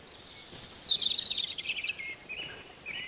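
A European robin sings a thin, high, wavering phrase of quick warbled notes and trills, starting with a sharp high flourish and then tumbling lower.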